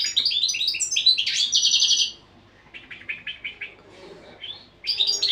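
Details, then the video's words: Training song of a European goldfinch: loud, rich twittering with buzzy, trilled phrases, followed by a run of evenly spaced chirps and a fresh bright burst at the close. "تغريد الحسون"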